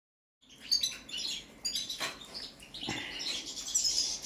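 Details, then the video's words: European goldfinch of the Balkan subspecies balcanica, singing during a song check: rapid, high twittering and tinkling notes after a brief silence, with sharp clicks and buzzy bursts building into a dense warble near the end. "Kontrola pesme, štiglić, češljugar, grdelin n, carduelis balcanica"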